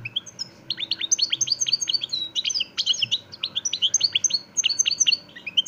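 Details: Extremeño European goldfinch of the parva de Montijo line singing without pause: steady series of clipped, down-slurred high chirps and tinkling twitters, evenly spaced, over faint low hum.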